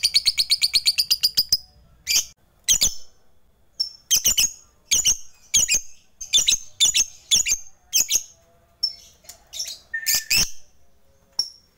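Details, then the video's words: Lovebird of fighter type calling rivals, used to provoke quiet lovebirds into singing; a fast series of shrill, high chirps, then separate sharp squeaky notes and short chattering bursts in irregular rhythm. "Pancingan LB FIGHTER MEMANGGIL LAWAN, Berkat Suaranya Banyak Lovebird TAK LAGI LESU DAN BISU"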